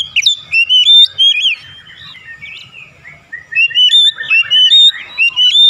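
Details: Oriental magpie-robin singing for therapy meant to prompt fast singing: dense, rapid, varied whistles and chirps, sliding up and down, loud bursts in the first second and again near the end, quieter twittering between, with a faint low hum.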